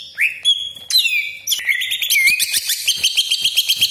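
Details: Greater green leafbird lure recording meant to provoke other leafbirds into singing: a loud, varied song of sharp whistles, rising slurs and harsh rasping notes, ending in rapid repeated chips.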